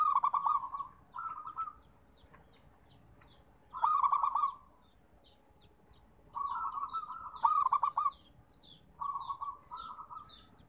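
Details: Local-type zebra dove singing, used as therapy song for birds slow to sing: mellow cooing phrases with stuttering, pulsed notes, given in bursts about every two to three seconds, with faint high chirps from other birds.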